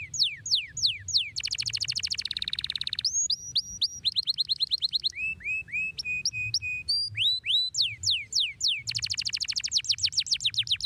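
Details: Long, piercing canary song delivered nonstop: bursts of steep descending sweeps, buzzy rapid trills, short rising whistles and flat tones, each phrase type rattled off several times per second before changing; soft low background rumble.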